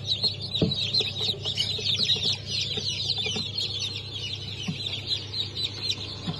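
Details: Chicks newly hatched on 8 March 2024, Sussex, Sultan, Türken and Australorp breeds: continuous crowded high-pitched cheeping from a large group, with occasional low knocks and a steady low hum beneath.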